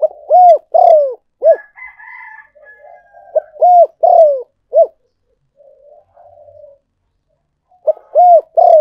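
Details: Decoy recording of a spotted dove for luring, repeating its four-note coo phrase three times with arched and burred falling notes. Between phrases come softer murmuring notes and a thin higher drawn-out tone.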